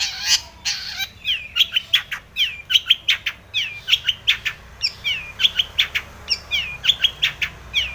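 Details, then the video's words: Long-tailed shrike in breeding condition, singing a song full of mimicry as a lure to make other shrikes sing: a dense, steady run of quick high chirps and slurred downward whistles, nearly three notes per second. "cendet gacor BIRAHI full isian ini MANJUR pancingan cendet agar bunyi"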